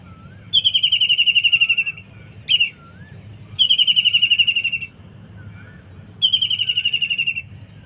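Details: Kingfisher in a kitchen garden giving three loud rattling trills, each a fast series of shrill, slightly descending notes lasting over a second, separated by pauses, plus one short sharp note between.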